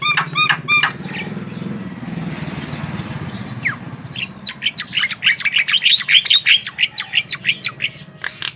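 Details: Javan myna singing to prompt other birds: a few ringing arched notes, then a stretch of low rumbling noise, then fast, busy, chattering bursts of bright clipped notes.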